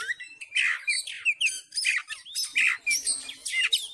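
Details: Oriental magpie-robin in full fighting mode, singing insistently to provoke other males. A loud, varied outpouring of sharp whistles, slurred rising notes and harsh buzzy phrases runs without pause.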